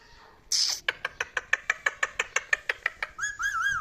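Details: Indoor pet talking parrot: a sudden noisy burst, then a steady run of sharp clicks about three per second, ending in a wavering, warbled whistle.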